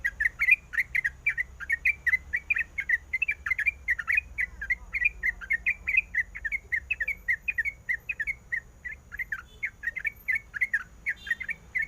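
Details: Long, even chatter from a female sooty-headed bulbul calling the male: crisp chirps repeated several times per second almost without pause, over quiet low background noise.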